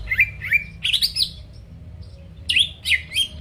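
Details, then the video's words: Greater green leafbird song meant to provoke rival birds into singing: short slurred whistled notes, some rising, others dipping, in scattered bursts with brief pauses between phrases. "PANCINGAN CUCAK IJO GACOR BUKA PARUH BIKIN LAWAN CEPAT ON LANGSUNG EMOSI DENGAR SUARA INI"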